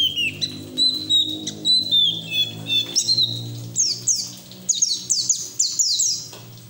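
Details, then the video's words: White-eye in ngeriwik singing, used to draw other white-eyes into song; high whistled phrases give way to fast repeated downslurred chips near the end, over a steady low hum. "PLECI NGERIWIK TELER BUKA PARUH NGALAS UNTUK TERAPI PLECI BAHAN"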